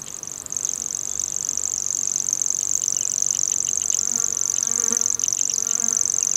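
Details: Common grasshopper warbler (Locustella naevia) reeling song at dusk, on dry fields or meadows: a high, dry, insect-like trill held unbroken throughout, with a few faint softer sounds underneath.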